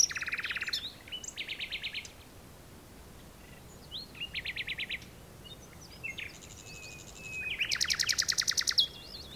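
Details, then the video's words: Common nightingale singing in the dunes of Texel, Netherlands, recorded while digiscoping: varied phrases of rapid repeated notes, some mid-pitched pulsing trills, others high sharp rattles, separated by brief pauses, ending in a loud accelerating series over faint steady background hiss. "Nachtegaal #2 - Duinen van Texel / Digiscoping Common Nightingale"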